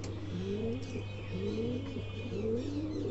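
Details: Angry pigeon giving low, rising coos, each sliding upward and repeated about once a second, over a steady low hum.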